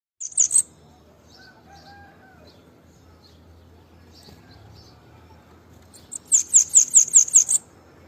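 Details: White-lined tanager song: a brief high chirp burst near the start, then after a quiet stretch a rapid run of about seven sharp, very high descending notes, with faint scattered ticks between.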